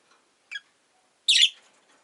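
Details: Rosy-faced lovebird as a house pet: a short high squeak, a brief gap, then a louder, rasping, shrill chirp lasting a quarter second, in otherwise quiet surroundings.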